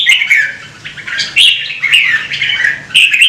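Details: Red-whiskered bulbul in sustained song, used to encourage singing; dense, overlapping warbled whistles rise and fall without pause, slightly reverberant.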